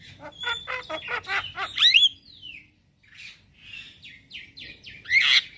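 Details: Male Javan myna singing in the morning as a lure and tutor for starlings: a rapid rattle of repeated notes, a bright rising whistle, a pause, softer downslurred notes and a final loud burst.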